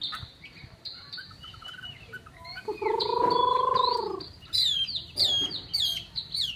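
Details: Chinese hwamei kept as a cage bird, singing a varied phrase: high sharp notes near the top, then a loud, rich, slurred whistle held for about a second and a half, followed by rapid descending sweeps and chirps.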